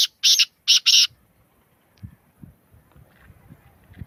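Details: Black francolin giving a rasping call of four harsh broadband notes, one short note and then a close pair, followed by quiet low background noise.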